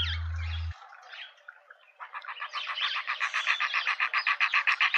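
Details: Pretoria suburban garden, South Africa, where a juvenile hornbill is with its parents: after a brief low hum and faint chatter, a rising, accelerating series of rhythmic, nasal, pulsed notes builds steadily in volume.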